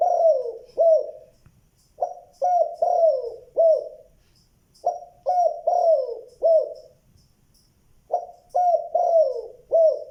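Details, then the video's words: Spotted dove calling, a good-voiced bird with a two-note ending: repeated phrases of low, mellow cooing notes, each falling slightly, delivered in bursts of three or four with short pauses between. "tiếng chim cu gáy gọi (giọng đồng tốt tiếng 2 hậu lỡ)"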